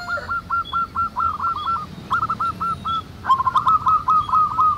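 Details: Wild local zebra doves in a lively chorus, their quick staccato coos rolling in three bursts of evenly spaced clipped notes, the last burst louder with overlapping voices; faint high chirps behind.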